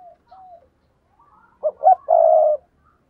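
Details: Lure spotted dove calling: a faint short coo and a soft slurred note, then three stronger coos that build into a long, steady, low burry final note. No other sounds stand out.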